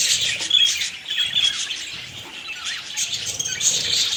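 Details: Pet budgies heard at close range: rapid scratchy chirps and warbled twitters in an uneven stream, with a short quieter dip midway before the chatter rises again.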